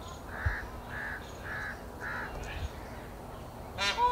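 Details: Forest alarm call of an Indian peafowl signalling a prowling predator, most probably a big cat: four short, even honking notes about half a second apart, then a sudden loud harsh burst at the end.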